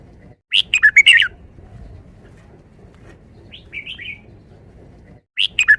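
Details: Caged red-whiskered bulbul singing a five-syllable forest-style song: a burst of five loud, bright warbled notes, repeated near the end, with a softer whistled phrase between, over a faint low background hum.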